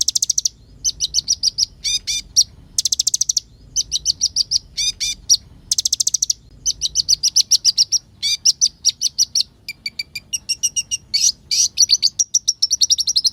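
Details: Olive-backed sunbird pouring out an excited, imitation-filled song used as a lure to make other birds agitated: repeated bursts of very high rapid trills and chirps, buzzy rattles, and thin tinkling note series.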